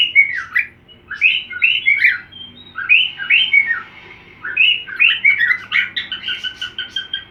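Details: Cockatiel learning a song by singing along with another cockatiel. Bright, chirpy whistled phrases with rising and falling notes come in bursts about once per second, over a low steady indoor hum.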